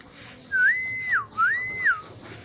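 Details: Black-naped oriole from Aceh giving two clear, fluting whistled phrases, each rising, holding a level note, then dropping sharply, about a second apart.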